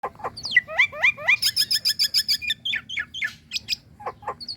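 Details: {'caption': 'Female Nias hill myna calling the male: a fast, varied run of sharp whistled and chirping notes, some falling, others rising, around six per second, with loud clipped notes near the end.'}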